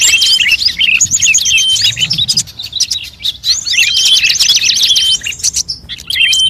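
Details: Luring mix of many bird species: busy high-pitched chirping, with quick chattering phrases and sharp whistled notes, a fast repeated trill near the middle, and brief pauses between bursts.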